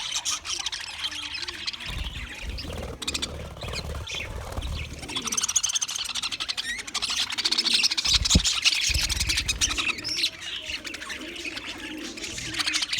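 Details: English budgies chattering nonstop on February 14, 2024, a busy stream of tiny high chirps and buzzy warbles, louder toward the second half, with occasional knocks and a low hum.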